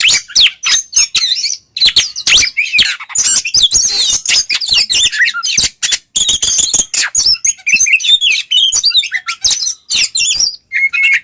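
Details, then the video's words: White-rumped shama singing 'ngeplong' style to provoke other shamas; a dense, almost continuous torrent of scratchy chatter, mimicry-like chirps and whistles with very short breaks. "suara burung Kacer NGEPLONG cocok buat pancingan Kacer agar emosi"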